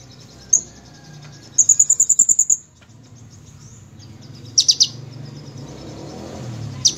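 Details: Actively singing sunbird gives a single sharp high note, then a quick run of about eight bright, evenly spaced high notes, later short clusters of piercing chips over a faint hiss.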